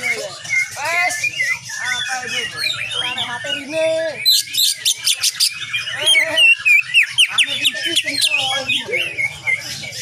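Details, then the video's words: Greater green leafbird (cucak ijo) in lively song with many shots, kapas tembak nyengklir style, a tutor recording for cage birds: rapid varied chirps and slurred whistles, then a burst of sharp, fast repeated notes midway. "Cucak ijo gacor penuh dengan tembakan kapas tembak nyengklir"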